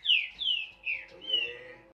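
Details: A Green-winged saltator sings a Paraná-style song: four loud, slurred whistled phrases, each sliding downward, given in quick succession over about two seconds.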